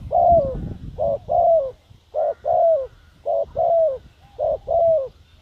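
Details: Spotted dove calling as a decoy for wild doves. Four evenly spaced phrases, each a short coo followed by a longer falling coo, over a steady low background rumble.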